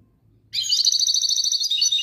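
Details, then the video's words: Brief goldfinch phrase: a sudden, fast buzzy trill of tinkling notes sustained for about a second and a half. "تغريد حسون"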